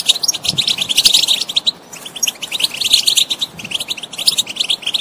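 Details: European goldfinch singing a rapid, tinkling stream of high twittered notes and buzzy trills in bursts, with a brief pause near two seconds before the chatter resumes.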